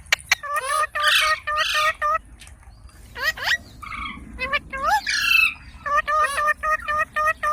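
Rose-ringed parakeet giving harsh, squawky calls with stacked harmonics in quick bursts, plus some whistled and chattering notes that may be talking or mimicry.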